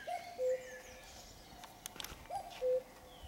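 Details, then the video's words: Before dawn on a Sunday at 5 a.m., a common cuckoo sings two cu-coo phrases, each a higher note dropping to a lower held one, about two seconds apart, with faint chirps of other birds and soft background noise. "Le doux chant mélodieux du coucou le dimanche à 5h du matin"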